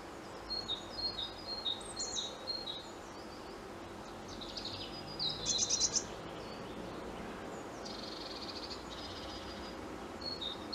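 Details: European robin singing as a treetop visitor: varied high, thin phrases of quick trills and warbled notes, separated by short pauses, with a louder, richer burst midway and softer, faint phrases near the end.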